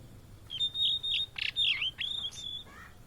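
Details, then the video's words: Blue-and-white flycatcher, a migrant often met in Indonesia, sings a thin whistled phrase of steady and slurred notes, one harsh note in the middle, over a hissing background. "Tledekan Laut Gacor Plong"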